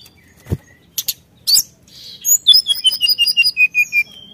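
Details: Vigorous rival-provoking song of a brown-chested jungle flycatcher: a few scattered clicks and a sharp high note, then a quick run of bright whistles stepping downward.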